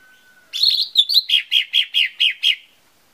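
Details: Lesser green leafbird lure song for getting birds to sing: a burst of buzzy chatter, then about seven rhythmic, slightly slurred notes repeated in an even beat.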